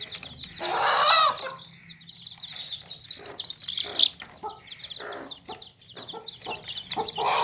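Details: Baby chicks in a tokri, a woven basket, giving a dense flock of high descending peeps, with a loud harsh hen call early on and intermittent low clucks and rustles.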